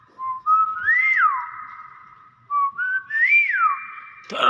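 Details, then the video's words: Nias hill myna giving two similar whistled phrases. In each, a low held note steps up into a rising-and-falling glide. A knock sounds at the close. "BURUNG BEO NIAS SUARA ASLI"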